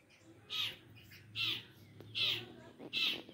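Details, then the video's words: Four loud, grating squawk-like notes from a Long-tailed shrike, evenly spaced under a second apart, with a faint low hum beneath. "Burung cendet gacor full"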